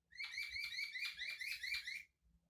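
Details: White-crested laughingthrush, locally called Poksay Hongkong, delivering a rapid series of bright, repeated chirps for about two seconds, ending abruptly.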